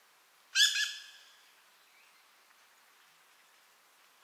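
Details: A Dusky thrush, recorded 10 November 2007 in Ōmachi, Nagano, Japan, gives one harsh, quick, high-pitched chattering call that fades fast into a quiet background.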